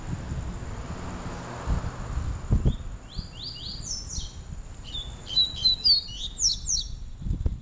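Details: Papa-capim, the double-collared seedeater, singing in a comparison of its Peteleco and Desejo styles: a rapid phrase of sharp, high, down-slurred notes and short trills from about three seconds on, with low rumbling noise throughout.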